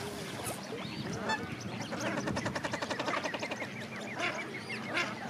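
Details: Several common shelducks call together during parenting behaviour: nasal, honking notes, then a quick run of cackling notes in the middle, with other waterfowl-like voices overlapping throughout.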